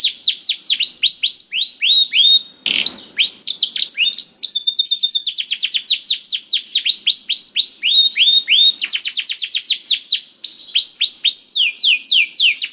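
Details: Nonstop canary song used to prompt a reluctant canary to sing: successive tours of fast repeated sweeping notes changing every second or two, with one brief harsh burst early on.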